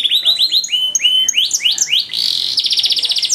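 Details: Canary master song for training canaries, long-duration song with luxurious ornamented phrasing: rapid series of rising whistled notes, then buzzy sweeps and a dense pulsing high trill near the end.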